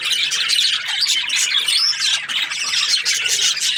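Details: Breeding pairs of budgerigars in a constant busy chatter, sharp squeaky chirps and short squawks layered over a steady high warbling din from many birds.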